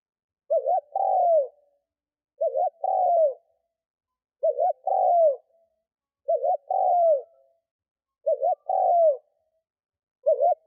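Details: Steady cooing of a spotted dove kept as a lure for wild doves, five full phrases and the start of a sixth about every two seconds, each a short wavy note followed by a falling coo.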